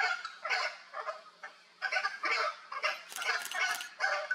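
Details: Hyacinth Macaws playing in the wild, Brazil: irregular loud, raspy squawks in uneven clusters, some harsher and more screeching, continuing throughout.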